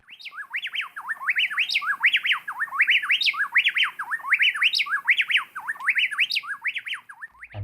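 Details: A mated pair of Plain-tailed Wrens sings a rapid, loud antiphonal duet of ringing whistled phrases, each bird holding back while its partner sings. The phrases repeat about every second and interlock so tightly they sound like one bird.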